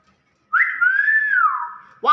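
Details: An old pet Nias hill myna gives one long, clear whistle that jumps up, holds steady, then slides gently down over about a second and a half. A short harsh sound follows.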